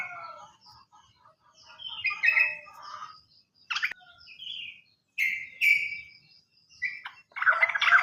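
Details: Sooty-headed bulbul song used as a lure to prompt caged bulbuls that have stopped singing: scattered bubbly, warbled notes and short rising phrases at varied pitch, with sharp clicks and other birds mixed in.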